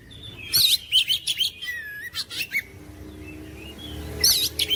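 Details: Oriental magpie-robin with clustered scratchy notes, clear whistles and one long downward slur. After a quieter pause, a new burst of harsh, buzzy chatter begins, over a faint low hum.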